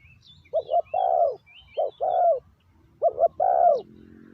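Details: Calling decoy spotted dove attracting wild doves: three low coo phrases, double short note then long coo, while another bird twitters high and thin in the background.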